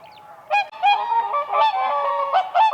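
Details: Whooper swans dancing on ice on a lake in spring, giving loud nasal trumpeting honks, a few short blasts then a longer overlapping chorus of several birds with rich harmonics.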